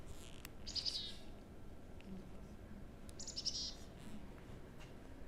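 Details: Black-capped chickadee giving two brief bursts of high, thin chips and buzzy 'tic-tic-di' notes as an alarm call, warning other birds that a bird of prey has arrived, over a low background rumble.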